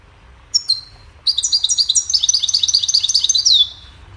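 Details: Goldfinch singing a cheerful melody for teaching other songbirds: a few high whistled notes, a pause, then a long, rapid, bright twittering run of jingling high notes ending in a descending slur.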